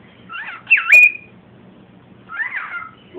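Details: Cockatiel saying "come here" toward baby cockatiels: two short, slurred whistled phrases about a second and a half apart, the first ending in a sharp bright note, with faint indoor murmur underneath.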